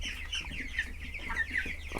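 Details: Flock of about 100 broiler chickens on day 26 of 42 in a chicken coop gives high, thin, overlapping peeps, a steady plaintive chatter over a low background hum.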